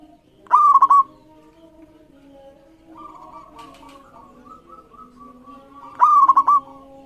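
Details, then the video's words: Local zebra dove song meant to coax other birds into singing: two loud pulsed cooing phrases six seconds apart, each a rising note and rapid coos, with softer coos and a low hum between them. "Masteran Perkutut Lokal Gacor Iramanya Mengundang Lawan Bunyi"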